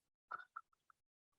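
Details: Chicken; alarm call; warning other chickens of a ground predator nearby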